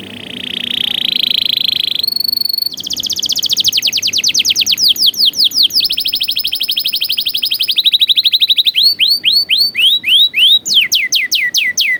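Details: Canary song with varied phrasing, played as tutoring for young canaries: a high trill, then successive tours of fast sweeping notes, each tour at a different pace, ending in slower, looping upswept whistles.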